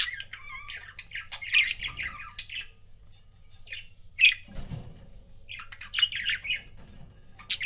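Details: Budgerigar couple kept as pets: bursts of busy, scratchy chirping and twittering squawks come in bunches with short quiet gaps between, a few louder sharp notes standing out over a low room hum.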